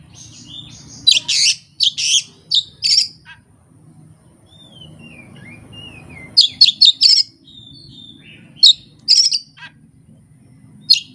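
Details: Oriental magpie-robin singing learned fill-in phrases with no tutor recording and no rival: bursts of harsh buzzy notes, a soft run of rising and falling whistles in the middle, then more sharp, rapid chattering phrases.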